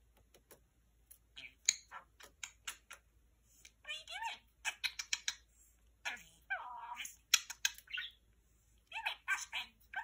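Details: A male talking parakeet chatters to a lamp in quick, scratchy bursts, mixing clicks, warbles and garbled speech-like phrases, some of his favourite phrases, with short pauses, indoors in a small room.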